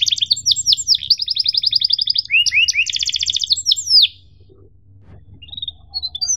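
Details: Canary song used as a tutor recording for young canaries, in the cuit-cuit emosi style: fast, buzzy trills of repeated high notes and upslurred whistles for four seconds, then near silence with faint distant chirps.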